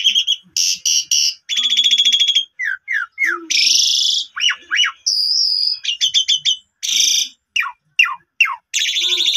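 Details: Asian pied starling song used as a lure to make a silent starling sing again: varied loud mix of harsh buzzy rasps, quick descending whistles, trilled bursts and sustained high notes, delivered in rapid alternating phrases.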